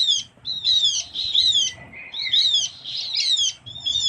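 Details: Lure recording of a Javan grey-throated white-eye (opior Jawa) from Java's forests: rapid chattering phrases of high whistled, slurred notes, bursts repeated roughly once a second with short gaps.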